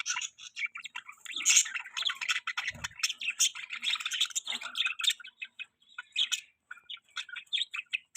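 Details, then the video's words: Several budgies keep up a steady busy warble of short high chirps and squeaky notes, overlapping with no real pause, fairly soft overall. "Budgies chirping sounds"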